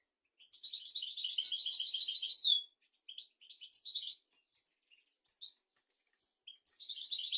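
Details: Tutoring song of a European goldfinch for young goldfinches and canaries: a long, fast, buzzy-bright rolled trill ending in a downslurred note, then bursts of tinkling, high twittering phrases.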